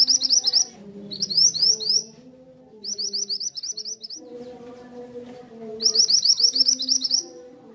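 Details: Mantenan, also called kuniran, singing in bursts of fast, high, sharp chirps, with lower tonal warbling and cooing sounds running beneath throughout.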